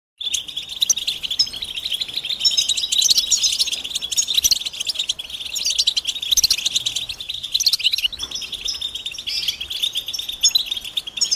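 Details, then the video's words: Many European goldfinches calling together, given as mating and readiness calls that stir males to sing. A dense, unbroken wash of high, bright twittering chirps overlaps throughout, with no other sounds. "بتبتة جماعية رهيبة لتحفيز الحسون على التغريد والهيجان"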